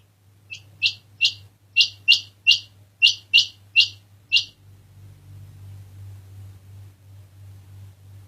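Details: Quail giving a series of ten sharp, high-pitched, upslurred notes in roughly four seconds, irregularly spaced, then falling silent; a low constant hum underneath.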